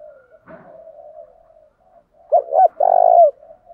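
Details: Decoy spotted dove urging rivals to fight: a steady soft coo hum with a brief click, then the full call, two short hollow notes followed by a drawn-out trembling coo that slides down at the end.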